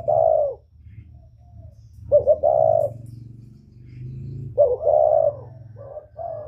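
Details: Spotted dove, northern whistle-voiced style, calling to provoke wild doves. Clear mellow coos come in paired phrases, short notes then a longer steady coo, roughly every two and a half seconds, over a steady low mechanical hum.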